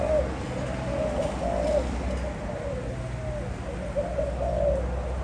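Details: {'caption': 'Spotted dove recorded in 2021 giving soft, low cooing phrases, repeated several times and partly buried under a strong, steady low rumble and hiss.'}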